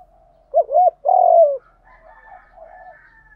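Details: Spotted dove singing in the 'giọng đồng pha thúc gù' voice, kept as a cage bird: one loud phrase of two quick wavering coos and then a long, falling hoot, followed by faint, soft cooing.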